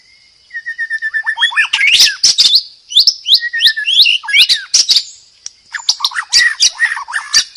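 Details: White-rumped shama singing loudly: a run of evenly spaced falling whistles building into rapid chattering sweeps and clicks, a short pause, then more dense varied phrases.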